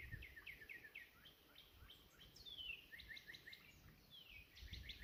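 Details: Competing Northern Cardinals on a cool April 19 morning bird hike, heard faintly as a run of repeated short down-slurred whistles, then a longer falling whistle, amid steady background noise.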